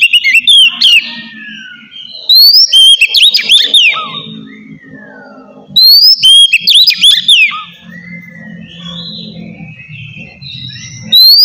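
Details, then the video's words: Relaxed ngeplong song of an oriental magpie-robin, played to prompt lazy kacer to sing: two loud bursts of clear rising whistles and twittering trills, each about two seconds long, with quiet gaps and a soft low hum between. "suara kacer ngeplong santai"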